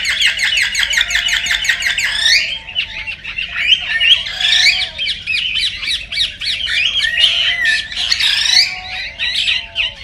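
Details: Chorus of cockatiels in breeding-stimulation recording: a rapid run of clipped, repeated notes opens, giving way to looping, rising and falling whistles and squawks from several birds at once.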